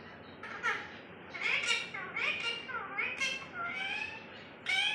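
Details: Pet parrot, said to repeat every human word, talking indoors: a run of short, hoarse, speech-like syllables with rising and falling bent tones, the last burst louder.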